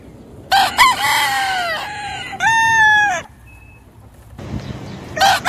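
A rooster gives a loud, harsh crow with a drawn-out, wavering middle section, followed by a second strained crow and the start of another.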